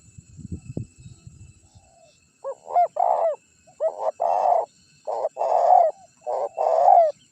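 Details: Spotted dove decoy recording meant to attract wild birds and draw rivals in. Soft low rustling comes first, then a run of deep, mellow coos grouped in short two- and three-note phrases with brief gaps.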